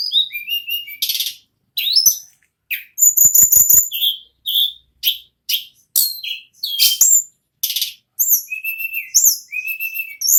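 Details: Non-stop rolling song of an ashy tailorbird, called nagen ngerol, with a fast varied run of shrill whistles, rising and falling slurred notes, harsh buzzy bursts and rapid clicking trills packed closely together.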